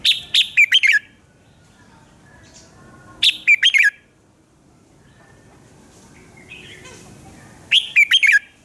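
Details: Red-whiskered bulbul singing in the morning as a training lure: a rapid burst of four or five bright chirpy notes, repeated about every three to four seconds, with faint soft notes in the pauses.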